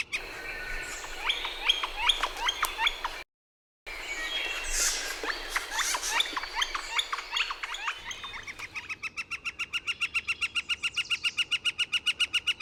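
A Northern flicker gives bouncy, repeated wicka-like notes, then a long, even, rapid series of loud wik notes at about six per second.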